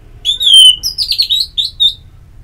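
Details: Orange-headed thrush song used as therapy to stimulate singing: a long slurred whistle falling slightly in pitch, then a jumbled warble of high twittering notes ending in two short chirps.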